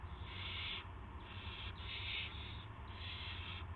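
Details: On 18 March 2016 at 8 PM an owl receives a gopher; four raspy, hissing screeches of under a second each follow one another, over a loud low hum.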